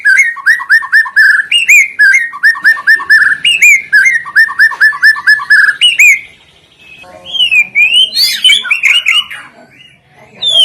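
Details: White-rumped shama song used as a lure to set other shamas and birds singing: loud, rapid series of repeated whistled notes near two kilohertz with sharp upward flicks, then a varied, jumbled phrase of rising and falling whistles.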